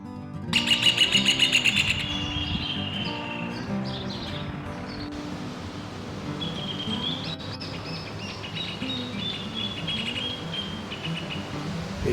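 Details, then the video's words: A Rufous Hornero, a reddish-brown bird about 18 cm long that usually sings in duets, gives a loud, fast, ringing trill of repeated high notes, then scattered shrill calls, all over background music. "hornero is reddish brown. rufous horneros usually sing in duets."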